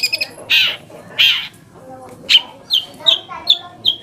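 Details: Long-tailed shrike song used as a lure to provoke other shrikes into answering and to get silent or lazy birds singing: a few harsh, rasping bursts, then a run of short, sharp, high chirps about every half second.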